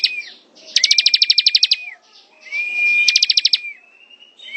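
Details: Ciblek (bar-winged prinia) ngebren song with two dense bursts of quick high chips, each riding on a long steady whistle, followed by quieter fading whistled notes.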